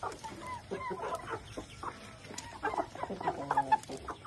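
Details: Bangkok chickens clucking and chattering in quick, uneven notes, some rising and falling, over a low steady background noise.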